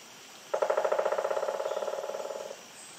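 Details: Pileated woodpecker (Dryocopus pileatus) drumming on a tree: a fast, resonant roll of about thirty strikes over two seconds that slows and fades toward the end, over a faint background hiss.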